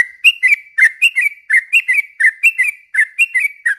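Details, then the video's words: Sooty-headed bulbul singing loudly as a lure recording to provoke rival bulbuls into calling: an even string of short, bright whistled notes alternating slightly higher and lower, about two a second, with a clicky edge. "suara trucukan gacor ini ampuh bikin pancingan burung trucuk"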